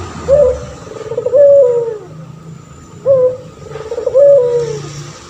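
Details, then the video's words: Male puter pelung turtle dove, kept as a vocal master voice for training other birds. Two repeated phrases about three seconds apart: a brief bright note, then a prolonged, slowly descending coo. A steady low hum runs underneath. "Burung puter pelung jantan gacor"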